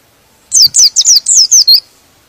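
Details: A pleci, or white-eye, delivers a single quick phrase of about seven high, sweet, falling chirps, the kind of song said to make other white-eyes emotional and sing along.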